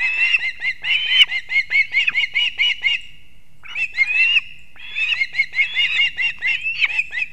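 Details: Osprey family at a nest in Kurzeme, Latvia, 6:40 am on 3 September 2024, male arriving with two fish for the chicks; rapid repeated shrill whistled chirps, several per second, in two long series split by a short silence.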